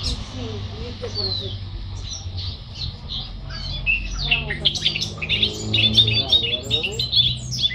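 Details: Charlatan, newly arrived, in full song: rapid chattering and squeaky twittering phrases building in loudness, mixed with sliding whistles over a low background hum.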